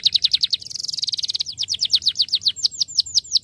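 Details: Starblue canary song meant to get stalled canaries singing again: quick repeated sweeping chirps flowing into a fast buzzing trill, followed by a steady run of bright, downward-slurred notes at an even, rapid pace.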